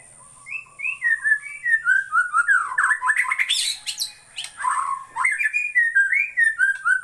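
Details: White-rumped shama from Borneo singing a loud, varied run of clear whistled phrases, rising and falling notes with rapid chattering flourishes in the middle, close and dominant against a quiet background.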